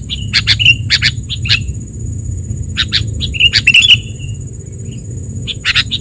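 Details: Lure call of sooty-headed bulbul for trapping and tutoring birds: short bright chirps in small clusters with a brief slurred note, separated by quiet gaps, over low engine-like rumble and a thin steady whine.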